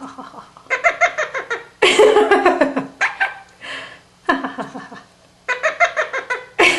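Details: Pet Quaker parrot (monk parakeet), a male kept indoors, practising favourite words and phrases; harsh, raspy laugh-like chatter in rapid pulsed bursts separated by short pauses, with a woman's voice nearby.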